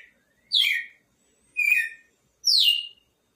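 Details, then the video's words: Three bright whistled phrases from a red-cowled cardinal, spaced about a second apart, each dropping steeply in pitch with a short trailing tail, otherwise quiet background. "Galo de campina expectativa na cantoria"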